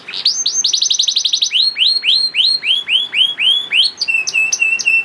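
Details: Young canary song used as a lure to prompt reluctant canaries to sing: fast series of downward-sweeping whistled notes, slowing into evenly spaced curved syllables, then ending with short flat piping whistles, loud and continuous.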